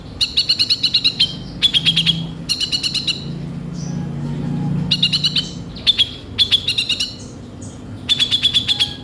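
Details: Kolibri ninja sunbird in full lively song packed with rough 'isian kasar' fill phrases: seven bursts of fast, harsh, rattling trills with a high ringing note, each lasting about a second, separated by short pauses over a faint low hum.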